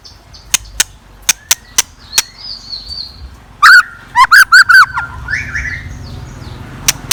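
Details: A scarlet minivet used as a decoy sings at dawn. Isolated sharp ticks come first, then a tight cluster of four or five bright, looping whistled notes, then faint high notes and light background hum.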